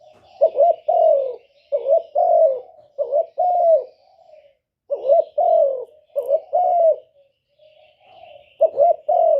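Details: Spotted dove used as a lure bird to draw wild doves into a trap, giving repeated two-part coos. A short rising double note is followed by a longer falling note, in about six phrases with brief pauses and soft murmurs between.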